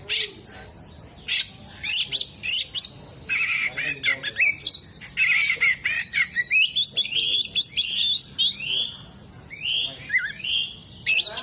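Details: Vigorous song of an Oriental magpie-robin fanning its tail, copying hummingbird, bearded bird and lovebird calls: a jumble of high chirps, rising and falling whistles and harsh, scratchy phrases, with only short gaps.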